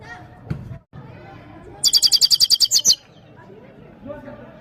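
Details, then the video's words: Himalayan goldfinch from Parachinar, singing for a female: a rapid, rattling trill of about a dozen high notes delivered in just over a second, set between faint low murmurs and soft background noise. "The best himalayan gold finch singing of parachinar top bird"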